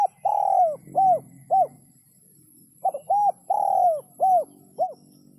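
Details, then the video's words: Spotted dove in sấm chuông style, meant to stir both males and females: two phrases, each of a short note, a long falling coo and two or three clipped arched coos, about three seconds apart. "Tiếng chim cu gáy sấm chuông cực chất cực hay kích trống kích mái kích bổi hiệu quả"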